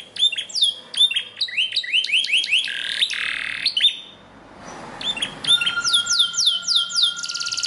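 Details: Green canary training song for keeping canaries singing. Repeated upslurred whistles in fast runs lead into a loud rolling trill. A quiet gap follows, then descending sweeping notes and a long steady high tone under the phrases.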